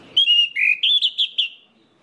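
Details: Orange-headed thrush, a song meant to prompt others of its kind to sing: one clear, high whistled phrase, a long note dipping lower, then four short rising notes, ending in silence.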